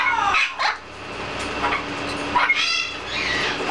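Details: A male Blue-fronted amazon, new to the home and frightened by another amazon and a triton cockatoo fighting and flying nearby, gives a few short, harsh, harmonic squawks, spaced irregularly, over a steady hum with a person speaking softly.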